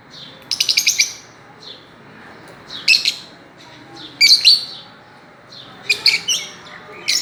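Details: Fischer's lovebirds playing on a swing utter high, buzzy chirps in short rapid bursts, each a quick stutter of notes, separated by pauses of about a second against a quiet background.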